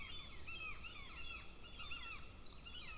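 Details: Two golden eagle chicks at a nest camera in Lahemaa, northern Estonia, near a military training field, at breakfast on 25 June 2024; faint, thin arched whistled calls repeat in quick irregular series over steady background noise.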